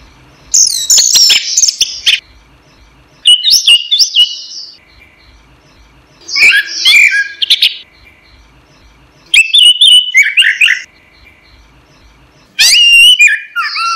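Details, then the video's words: Caged orange-headed thrush singing on a training recording for songbirds: five separate bursts of tumbling whistles and chattery notes, each lasting one to two seconds, spaced about three seconds apart. "suara burung anis merah | gacor | masteran"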